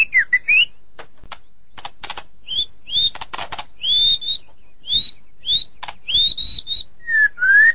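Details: Sulking white-rumped shama singing clear, slightly rising whistles spaced about half a second apart, broken up by sharp clicking and rasping notes, ending with two lower slurred whistles.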